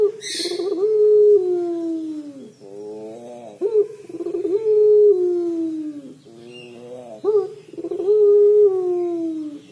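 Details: Long, sorrowful coos of a puter pelung dove in the crying style, repeated about every three seconds. Each note starts with a brief rising flick and then sinks slowly, with a short hiss at the start.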